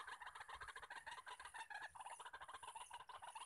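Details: Male white-breasted waterhens calling all around in the wild during decoy trapping: dense, rhythmic croaking pulses from multiple birds overlapping without pause, with a thin continuous insect whine above.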